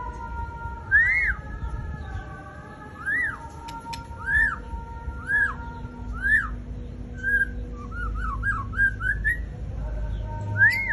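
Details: White-rumped shama singing a series of clear, arched whistled notes, each rising then falling, repeated roughly every second, ending in a quick run of short warbled notes, over a low background rumble and faint steady tones.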